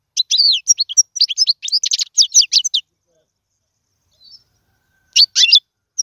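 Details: European goldfinch song for teaching fledglings: about three seconds of quick, high, tinkling twitters, near silence, then a brief renewed chirping phrase.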